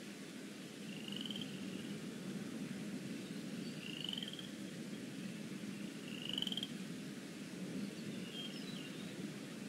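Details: Young eagles resting in the Decorah North nest on an April 2017 afternoon as pinfeathers emerge: a series of short, high, upslurred chittering notes spaced a couple of seconds apart, with faint fainter chirps and constant low hiss beneath.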